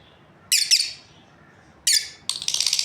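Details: Two quick high rasping chirps from a lovebird breeding pair, a pause, then another chirp followed by a fast buzzy rattled chatter.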